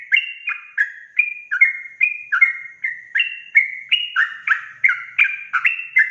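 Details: Gacor sooty-headed bulbul singing ropel style, meant to stir other bulbuls: dense stream of sweet whistled two-part notes, rising and falling, repeated rapidly and steadily throughout.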